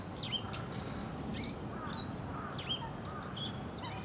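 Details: Black-faced bunting, male and/or female, giving thin, high, sharp call notes (chit, chit) in short irregular bursts about every second, over a steady low background rumble.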